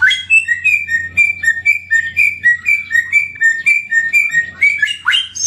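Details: Melodious endemic samyong bird giving a rhythmic chain of clear, slightly rising whistles, alternating higher and lower, ending with a quick sweeping flourish.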